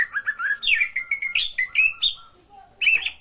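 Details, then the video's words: Cucak ijo (green leafbird) song used to stimulate a silent bird to sing: varied whistled and chattering phrases around mid-high pitch, several sliding notes, a short pause, then a loud rich burst. "pancingan suara cak ijo sangat ampuh untuk terapi cak ijo macet"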